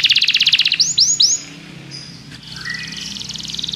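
Belgian canary song: a fast high trill, then three sweeping down-slurred whistles, followed by a softer rolling, buzzy trill, with no other sounds.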